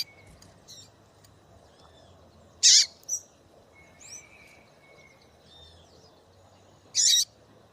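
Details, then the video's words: A calling female double-collared seedeater, used to make a male sing. Two loud, abrupt high-pitched chips about four seconds apart, with a quieter chip after the first and faint thin whistles between them over a low steady hum. "MELHOR FÊMEA DE PAPA CAPIM PIADEIRA PARA DEIXAR SEU PAPA CAPIM DOIDO PARA CANTAR LOGO!"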